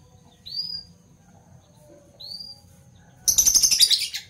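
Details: Fischer's lovebirds, parblue violet and parblue turquoise, chirping in the morning: two soft, high rising whistled notes a couple of seconds apart, then a dense burst of shrill, rapid chattering chirps for about a second.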